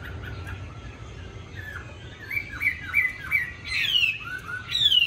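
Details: A tame, good-fighting Chinese hwamei kept caged in Hanoi, Vietnam, gives quiet broken notes, then harsh squawky phrases and two loud descending slurred whistles near the end.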